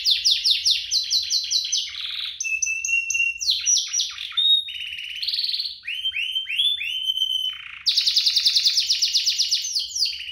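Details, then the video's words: Domestic canary singing, a recording meant to spur canaries into song; rapid descending trills alternate with steady whistled tones, buzzy rolls and bright chattering bursts over ten seconds. "Kompilasi DUO GACOR, cocok untuk pancingan kenari biar gacor, masteran kenari paud"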